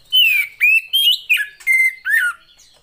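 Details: Female Oriental magpie-robin, sound meant to trigger singing in quiet males: six loud, rich whistled notes in quick succession, mostly falling or bending in pitch, each about a third of a second long.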